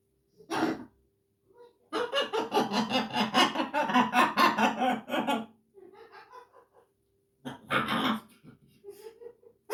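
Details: A pet blue-and-yellow macaw (Ara ararauna) gives a long run of throaty, pulsing laughter, framed by short raspy bursts of talking-like sounds.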